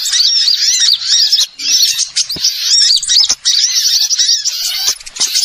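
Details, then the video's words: Lure recording of a small bird for bird trapping: piercing, rapid high chirps and looping twitters in quick clusters, broken by short pauses and a few clicks. "suara Pikat burung Kecil super tajem"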